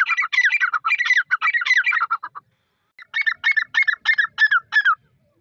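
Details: Dakni grey francolin female, part of a new Irani breeding pair: two bursts of quick, scratchy, chattering notes, the second after a short pause, repeated several times a second.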